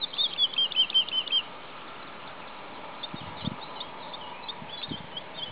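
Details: A singing male woodlark at Sceaux-d'Anjou, Maine-et-Loire, France, on 2 July 2009 sings a quick run of about eight liquid, falling notes in just over a second, then fainter distant phrases against a quiet background.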